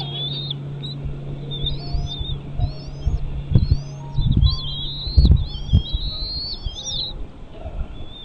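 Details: Bald eagle at a nest, a series of high, thin, slurred whistled calls, rising and falling and repeated in quick chattering bursts, over a steady low hum with soft thumps and knocks.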